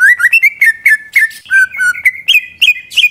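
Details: Rapid phrase from a greater green leafbird, played to stir other birds into song, with clear whistled notes stepping up and down about four per second.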